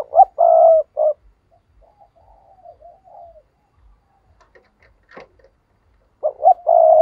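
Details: Captive lure spotted dove repeating its low cooing phrase twice, about six seconds apart: clipped coos and a drawn-out rough croon. Soft murmurs and a single sharp click fall between the phrases.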